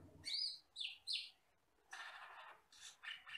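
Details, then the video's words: Tutor recording of an Asian glossy starling, a forest bird: three sharp high whistled notes, then a longer harsh, rasping chatter and a few short buzzy notes. "MASTERAN BURUNG HUTAN CAMPERLING (CUCAK KELING)"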